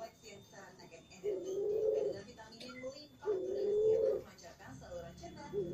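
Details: A Bangkok-type zebra dove calling nonstop in the morning gives two soft, rolling, trilled coos about two seconds apart, low and mellow, with faint chirps and room noise behind.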